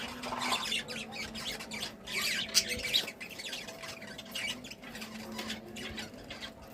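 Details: Happy budgies keep up fast, overlapping chirps and rasping squawks, an uneven busy stream with a few sharper tweets standing out over a faint low hum.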